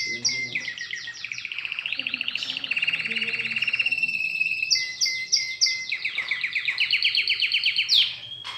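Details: Pet canary being trained to sing runs through a chain of varied trill tours, each rapid and rolling, shifting between lower and higher pitches with brief pauses between phrases.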